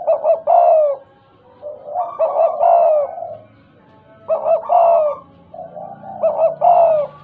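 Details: Spotted dove, a tame and talkative bird in the stuttering 'gagap' style, repeating phrases of quick stammered notes that run into a mellow descending coo, four phrases about every two seconds, with faint low background hum.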